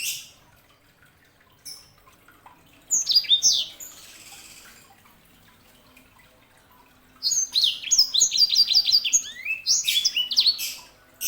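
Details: Sanger canary hybrid singing in two bursts: a short phrase of high sweeping notes, a pause of several seconds, then a longer run of rapid chirps and downslurred whistles repeated almost three times per second.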